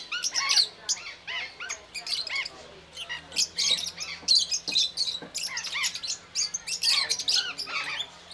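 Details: Rosy-faced lovebirds in the Belgrade zoo, Serbia, filmed in October 2022 on a Panasonic AG-CX350: a busy flock chatter of shrill, sharp squeaks and chirps overlapping in quick bursts, with a faint low hum underneath.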